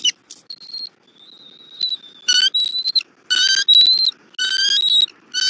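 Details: Bald eagles at a Southwest Florida nest on the morning of 3 February 2024, the male bringing a rabbit and the female feeding the eaglet. Long thin whistles give way to loud, squealing, harmonic chirps, roughly one per second.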